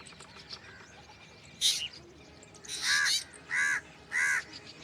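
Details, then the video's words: A black drongo gives harsh, rasping calls with a nasal, crow-like edge: one short note, then three louder, half-second calls in quick succession. "Black drongo Strange Call / Sound"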